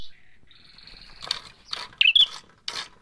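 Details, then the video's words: Bar-winged prinia in a lure recording of fighting birds, giving thin high notes, then harsh buzzy bursts and a sharp twittering whistle near the end. "SUARA PIKAT PRENJAK MERAH TARUNG"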